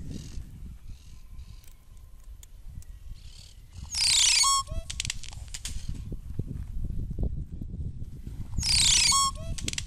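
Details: Crested oropendola song: two loud phrases about four and a half seconds apart, each a harsh crackling rush of sound that ends in a short liquid tonal note, over a steady low rumbling background.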